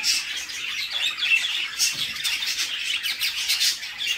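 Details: Mother budgie feeding chicks in a nest box, the young producing continuous wheezy, grating squawks with quick pulsing rhythm and brief squeaks layered on top.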